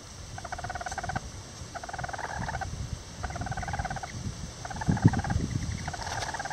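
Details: Rare Lavender Bantam chickens nest-building together; gentle purring trills in bursts roughly every second and a half, with low rustling and scratching sounds beneath.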